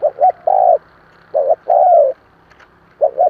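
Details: Spotted dove coo for stirring newly caught doves into calling: paired short hoots followed by a long mellow note, repeated twice, with a third phrase starting. A low hum sits underneath.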